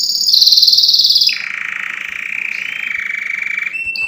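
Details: Canary song opening with a high, bright, fast trill that drops after about a second into a long, even, lower buzzy roll, with a short high note at the end.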